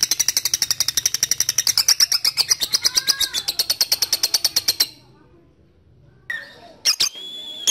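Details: Lovebird ngekek, a rival-calling lure meant to draw long chattering: nearly five seconds of rapid, steady, high-pitched rattling pulses stop abruptly, then near silence is broken by a few sharp clicks and a brief whistled note.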